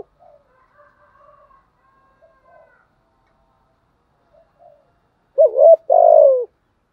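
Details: Spotted dove decoy, voice called 'giọng thổ': faint soft coos from farther birds, then a loud close two-part coo with a wavering start and a long, falling second note.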